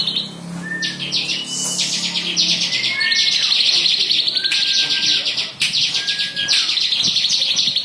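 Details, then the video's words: Bar-winged prinia song in the 'belalang emas' style, used as a tutor recording for white-rumped shama, greater green leafbird and oriental magpie-robin: dense rapid high buzzy trills with scattered thin whistled notes, repeated quickly and continuously. "CIBLEK BREEN BELALANG EMAS rekomendasi buat masteran burung MURAI BATU, CUCAK IJO, KACER"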